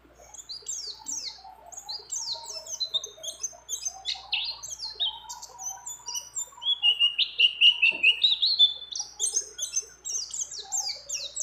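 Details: Female mountain white-eye in breeding condition calling a male, with phrases of many other birds. Rapid high descending chirps run into a long, rolling trill midway; a thin steady hum sits below.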